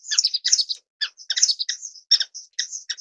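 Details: Thin, high twittering notes from an orange-cheeked waxbill (Estrilda melpoda), delivered in quick clusters and short sharp chips separated by small gaps.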